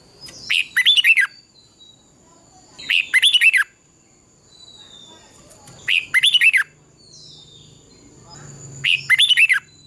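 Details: Red-whiskered bulbul singing in contest style, used at dawn to stimulate other birds: four matching punchy warbled phrases repeated roughly every three seconds, each a quick cluster of sharp whistled notes, with a faint high hum behind.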